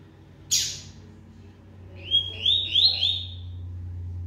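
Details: Rusty-collared seedeater singing while in moult, a quick, strong bird: a harsh burst, then a run of four rising whistled notes in quick succession over a low steady hum.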